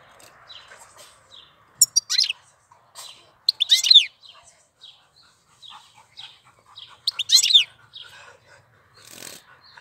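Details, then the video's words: Goldfinch singing in April: bright twittering phrases with sweeping, buzzy notes in bursts around two and seven seconds, between softer scattered chirps, in a quiet background. "Cântec sticlele luna aprilie"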